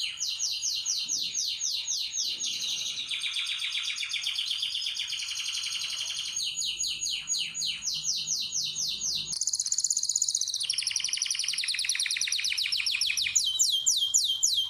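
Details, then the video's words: Canary in a bird room set up for breeding, delivering a long varied song: rapid trills and rolls shifting through several tours, some low and buzzy, others high and sharp, with abrupt changes in pitch and speed. "جولة في غرفة طيور الكناري مع تغريد روعة"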